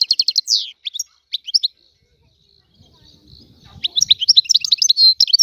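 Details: Free Algerian goldfinch opens with quick chirping twitters and a buzzy note, pauses for about two seconds, then resumes with a rapid, tinkling, buzzy phrase; faint low muffled sounds in the gap.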